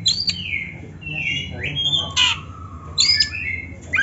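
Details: Oriental magpie-robin song from a master recording meant for training beginner birds: quieter drawn-out descending whistles and slurred notes with short gaps, over a low room hum.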